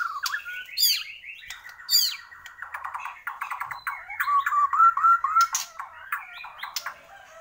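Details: Borneo white-rumped shama in full, lively song: loud, varied phrases mixing high upswept notes, buzzy rattling bursts and a run of quick whistled notes at mid pitch, delivered almost without pause.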